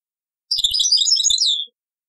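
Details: European goldfinch singing taqsrain style, from an old cassette: a little over a second of crowded, high-pitched twittering and chiming notes that ends on a downward-sliding note, with soft taps in the background.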